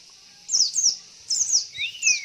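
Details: Female Javan white-eye lure call: paired high chirps slurring downward, repeated twice, then a rising whistle and a final chirp, over soft continuous hiss.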